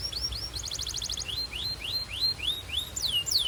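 Belgian canary singing: a fast, buzzy trill, then a run of high rising whistles about three a second, ending in quick falling sweeps over a low background hum.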